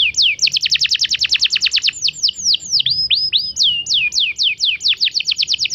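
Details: Domestic canary, a young bird, sings a lure song: a very fast, loud rattling trill of high notes, then slower swooping whistles dipping down and back up, before another quick trill. Faint low background hum.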